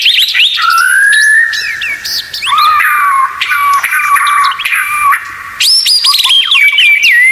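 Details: White-rumped shama, known locally as murai batu, in a song tutor recording for caged birds with 'tembakan' phrasing: a long rising whistle, then sliding warbles and a high bright burst near the end.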